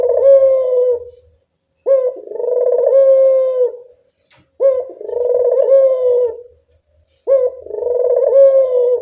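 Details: Barbary dove calling in the evening as a lure for doves reluctant to call: four rolling purred coos, each opened by a brief clipped note and spaced roughly two and a half seconds apart, in otherwise quiet surroundings.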